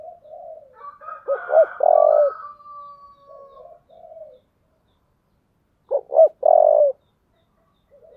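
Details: Spotted dove in the low 'giọng thổ' voice giving its fight-provoking call twice: each phrase has soft lead-in coos, two rapid looping notes and a long, loud coo. A thin, higher drawn-out tone overlaps the first phrase.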